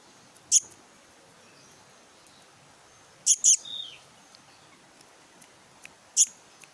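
Black-naped Monarch chick giving short, sharp, very high chips, singly or in a quick pair, every few seconds over a faint hiss of background noise.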